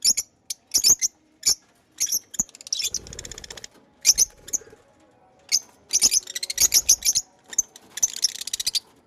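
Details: Pet lovebirds give shrill, high chirps in quick bursts and clusters, some harsh and buzzy, with brief rustling between calls.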